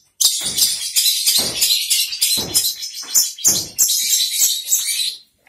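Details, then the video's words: Long-tailed shrike kept in a cage, singing vigorously as soon as the cover comes off: a near-continuous stream of loud, grating, high chattering phrases with small gaps, ending in a brief silence. "Burung cendet buka kerodong langsung gacor"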